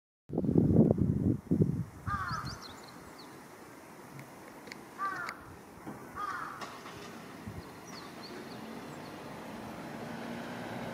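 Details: A carrion crow foraging at a riverside in Japan in late June 2018 gives three short, hoarse hiccuping notes a few seconds apart, repeated strange sounds like hiccups or retching, after dull low thumps over a steady rush.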